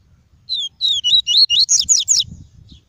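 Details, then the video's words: Loud, close double-collared seedeater kept in a cage, singing pure tuí tuí song for stimulating birds and teaching young: eight fast, bright whistled notes, each sliding down then up, in a tight two-second phrase. "PAPA CAPIM CANTANDO MUITO! TUÍ TUÍ PURO - ESQUENTE SEU PAPA CAPIM EM 5 MINUTOS!"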